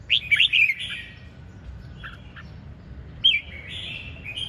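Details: Red-whiskered bulbul, ché chẻ style song: a brisk cluster of three loud whistled notes at the start, soft scattered notes, then one more rising phrase trailing into a warble; steady low hum behind.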